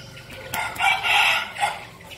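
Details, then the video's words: Red junglefowl cock, a decoy bird in Bình Phước province, Vietnam, delivers a short crow: a clipped opening note, a longer strained middle phrase, then a brief closing syllable. "giọng gáy của gà rừng mồi"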